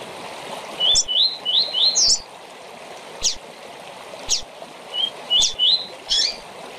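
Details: Short tournament-training song of a rusty-collared seedeater (coleiro or papa-capim): two phrases of rising whistled slurs, punctuated by sharp high chips, against a constant watery background hiss.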